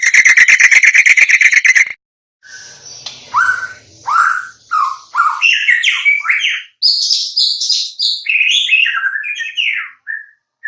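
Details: White-rumped shama song opening with a fast, buzzy pulsed rattle for two seconds, then a sequence of clear, slurred whistles that climb and fall, growing higher and busier toward the end.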